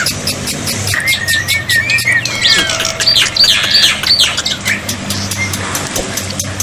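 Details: Black-winged myna tutor sound meant to stir silent birds to reply; rough squawky notes and scattered whistles in a dense jumble, partly masked by a continuous rushing water-like noise.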